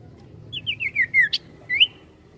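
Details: Sirtu bird singing a lively trilling phrase: a quick run of five descending slurred whistles, then a sharp upward note and a rising whistle, over a low background hum.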